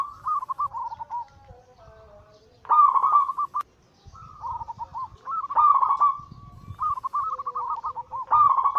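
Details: Perkutut, the zebra dove, giving anggungan song intended to provoke other doves into singing. Soft bubbling coos alternate with louder rolling trills, with a short silent break midway and a single sharp click.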